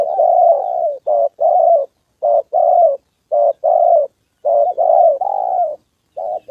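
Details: Loud, close spotted dove decoy in Gia Lai, Vietnam, trapping session on the 2 September holiday, delivers a steady series of husky coos. Brief notes alternate with longer level ones, each phrase about a second long with short gaps.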